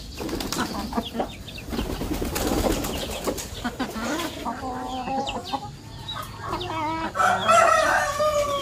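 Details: Chickens being fed in the morning, several birds clucking and calling in short repeated notes amid wing flapping, pecking and background noise, with a brief voice.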